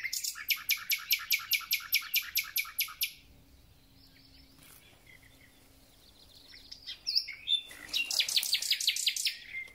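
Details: Thrush nightingale in full spring song, taken as a sign that spring has begun. A dense rattling series of about fourteen rapid, harsh, evenly spaced notes, then a quiet gap with faint thin calls, then another fast, loud rattling burst.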